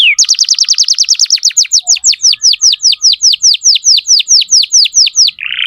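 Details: Energetic canary song used to coach young canaries: rapid downward-sweeping notes that start very fast, then slow to about four per second, ending in a short buzz.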